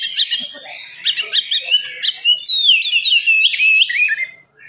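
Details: Oriental magpie-robin singing vigorously in the morning, fast and dense, used to provoke other magpie-robins: clipped high notes repeated quickly, then a run of sweeping, slurred whistles and a final buzzy note.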